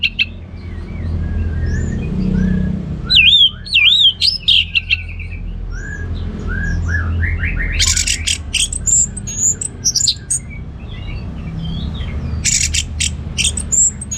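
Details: Orange-headed thrush from Singaraja, northern Bali, a kept songbird, delivering varied whistled loops, sharp high chips and rapid buzzy bursts in an irregular, lively sequence over low background noise.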